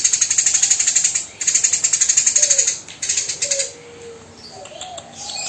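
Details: Tame Eurasian tree sparrow in full chatter, delivering coarse shooting-style bursts of very fast, high, grating chirps, two long runs then a shorter one before faint lower twitters.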